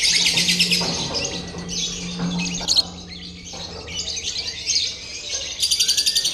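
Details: Lovebird chorus in a training simulation of a singing competition: bursts of high twittering chatter that stop and start, with brief gaps, a low hum and a short rising whistle near the end.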